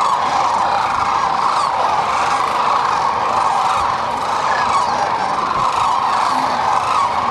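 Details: Large gathering of sandhill cranes resting and feeding on the Platte River in central Nebraska during spring migration; loud, continuous din of overlapping rattling, trumpeting calls from a big flock, steady throughout.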